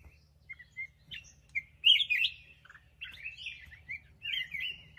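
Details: Black-crested bulbul song of varied whistled and slurred notes, some loud and bubbly, others short chirps, delivered irregularly over several seconds with a faint low hum behind.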